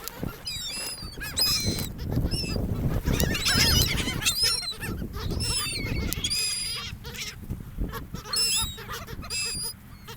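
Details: Several seagulls at a sandy beach on a gulf, near people, give high, thin, quavering squeals almost nonstop, overlapping each other, with rolling waves and background rumble underneath.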